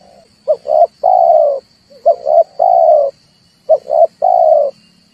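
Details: Lure recording of a red turtle dove for bird trapping: three low phrases, each two short bursts then a longer rasping coo, spaced about every one and a half seconds, a soft high whine running throughout.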